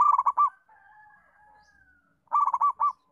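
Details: Local zebra dove singing, offered as a model for other doves to learn from: two rippling phrases of fast trilled coos, with a long, thin steady whistle between them.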